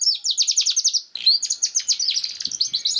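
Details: Singing canary, played to coax a young bird that has not yet sung: quick runs of bright descending chirps, a brief pause near one second, then dense high rolling trills.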